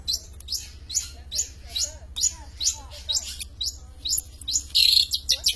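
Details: Long-tailed shrike, a prize-winning songbird, singing actively with a steady string of high, sharp chip notes roughly two per second, ending in a brief high buzzy phrase and more quick chips.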